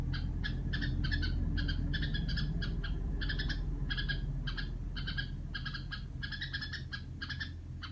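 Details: Red-whiskered bulbul kept at home, making the call its keeper calls rò: a fast series of short, harsh, chattering notes repeated about three times per second over the whole stretch, with a strong low hum in the background.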